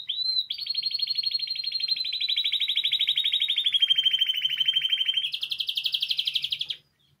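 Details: Spanish timbrado canary song used for teaching: a long, loud, rapidly pulsing trill lasting over six seconds, sliding gently down in pitch before jumping higher for a final stretch, then silence.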